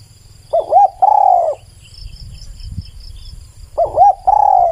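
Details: Spotted dove singing: a short hooked coo followed by a longer, slightly falling coo, the phrase repeated after about three seconds, with a faint high insect hum and low rumble beneath.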